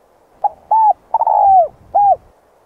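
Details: Spotted dove cooing by the river in the morning to attract wild doves: a short lead note, a hollow coo, an extended downward-sliding coo and a final soft coo, with faint low rumbles.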